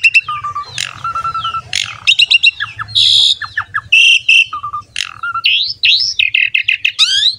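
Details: Asian pied starling, a champion bird in full, active song, used as a lure to prompt other starlings and songbirds to sing. It gives a loud, varied run of clear level whistles, harsh buzzy bursts, sharp chattering notes and rising slurred phrases in quick succession.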